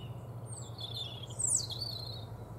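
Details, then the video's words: European robin giving a high, thin, sliding warble with a brief sharp trill in the middle, over a steady low hum. "European robin"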